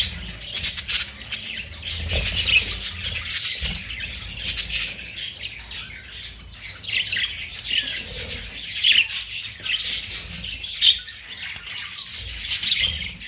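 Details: Busy budgerigar chatter of scratchy chirps, squawks and warbles from several birds, rising and falling in loudness, with short louder bursts every few seconds.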